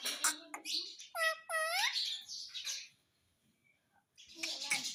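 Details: Pet parrot talking. Two clear, ringing, harmonic whistled notes rise from a dip, surrounded by scratchy chatter and squeaks. A short quiet spell comes before noisy chatter resumes.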